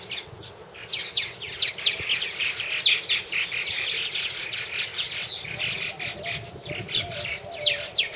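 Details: Several purple martins calling at their nest houses, a continuous jumble of chirps, croaks and gurgles from many birds at once, with occasional brighter whistled notes rising above the chorus.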